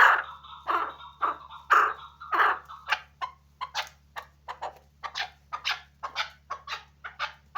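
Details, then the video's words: Several loud, ringing calls open the sequence, then a hunting chukar partridge settles into quick, sharp, broken chucks repeated irregularly, about two to three per second, over a low steady hum. "Кабки шикори"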